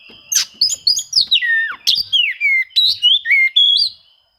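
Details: Oriental magpie-robin song meant to challenge rivals and spur reluctant birds to sing: rapid series of loud, downslurred and upslurred whistles with crisp chips, evenly packed over four seconds.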